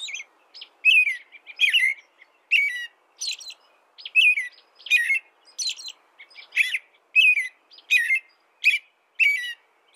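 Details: American robin in steady song, a rapid sequence of short whistled caroling phrases, rising and falling, repeated more than once per second with no other sounds.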